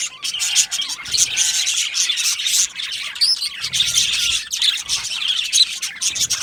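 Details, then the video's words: An aviary of happy budgies keeps up a busy, high-pitched warbling and chirping, many birds calling at once, with a few short rising whistles and faint low bumps. "Happy Budgies Sounds | Budgies Chirping Sounds | happy Budgie sounds for lonely Budgie birds"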